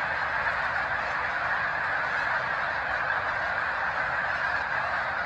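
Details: Snow geese massed along the Cayuga Lake shore at Seneca Falls, NY, in March 2021, a big flock keeping up an unbroken wall of yelping honks that blend into a steady roar.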